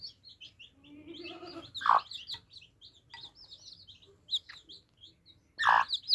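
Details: Baby chicks drinking, with a lighter chorus of thin, high cheeps, a few low rough notes early on, and two loud thumps.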